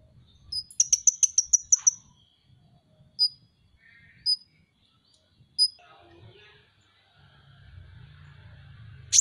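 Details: Van Hasselt's sunbird, cage bird, masteran tutor recording: a fast ringing trill of about eight high notes, then three isolated sharp chips spaced well apart, and a faint buzzy phrase near the end.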